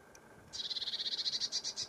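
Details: Lesser whitethroat giving a dry, high rattle of about fifteen quick, even notes over one and a half seconds, after a brief quiet start with a soft hiss in the background.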